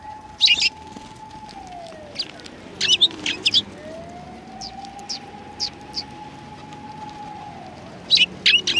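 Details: Sparrows coming to be fed at a Tenmangu shrine on 7 February 2020: a few short, high chirps in scattered bursts near the start, middle and end, over a steady low drone that slides down and back up.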